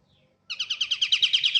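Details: A Pied triller gives a short burst of rapid, ringing chirps, about ten even notes in a second. Soft low rumbling is heard just before it.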